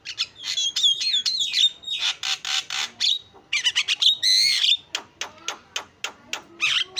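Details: Javan myna song, a busy mix of harsh noisy squawks, clicks and sharp rising and falling whistles, packed tightly with short gaps, with a long buzzy note near the middle.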